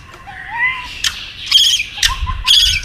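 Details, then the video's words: White-rumped shama during competitive singing: a soft low whistle, then sharp clicks and brief buzzy bursts of notes in quick succession, with a faint thud. "kích chòe lửa hót đấu ức chế"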